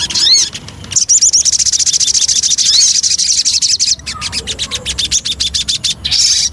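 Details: Javan cochoa lure song opening with looping whistled notes, then a fast high chatter of rhythmic chirps, ending in sharper clicking pulses.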